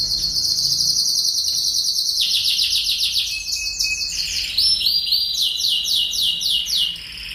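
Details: A Lancashire canary, a diligent singer of English origin, delivers training song for young canaries: long, rolling high trills that shift in pitch step by step, then sharper, faster rattling tours near the end.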